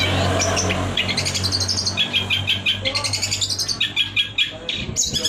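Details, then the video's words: Long-tailed shrike singing lively shotgun-style fill phrases used to tutor competition birds; fast runs of buzzy, rattling high notes, several per second, in bursts separated by short pauses over low background hum. "cendet gacor full tembakan 🔥 isian"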